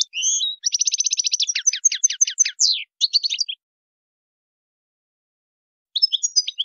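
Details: European goldfinch singing the wild-type song, 'chant sauvage': a short twitter, a fast stuttering trill, crisp chips and buzzy notes, then silence before a brief twittering restart.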